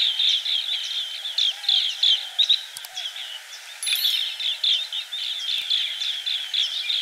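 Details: Green bee-eater: bursts of high trilled chirps in clusters with short gaps, plus a couple of sharp clicks partway through.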